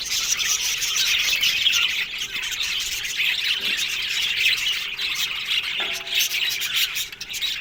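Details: Australian budgie aviary colony, a crowded chorus of high chirps and occasional harsh squawks, with a short low tone near the end.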